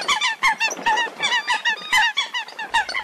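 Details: Lost female Eurasian coot cut off from the flock gives distress cries: a fast, uneven run of loud, nasal, ringing notes, almost one per second or quicker, with no other sounds.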